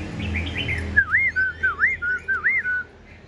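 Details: Caged, tame Black-throated laughingthrush singing all day. A few quick twittering notes give way to four loud, clear, wavy whistles, each rising then dipping, repeated about every half second, with low hum behind.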